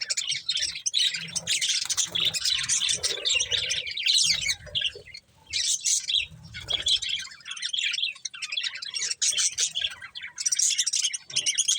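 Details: Several budgies eating corn produce a near-continuous mass of high chattering chirps and squawky twitters, dipping briefly before resuming, with soft low thumps beneath.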